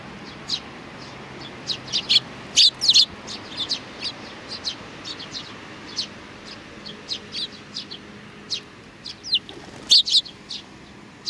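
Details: Busy chirping of Eurasian tree sparrows with young birds, 27 June 2019: many short high tweets, irregular and overlapping, loudest in clusters near the start and end, over quiet background.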